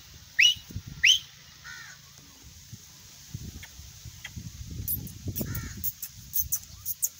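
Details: Grey francolin, a fighting and calling type of teetar: two loud, sharp, rising harsh notes less than a second apart open the sequence. Fainter echoing repeats follow amid low rustling and light high-pitched ticking.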